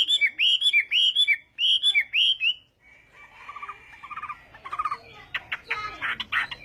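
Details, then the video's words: Chinese hwamei in morning singing practice, a contest-style song: a loud whistled phrase looping and falling, repeated about six times in quick succession, then quieter, scratchier, varied notes and rapid chips. "Hoạ Mi Hót Đấu /hoạ mi hót sáng luyện giọng"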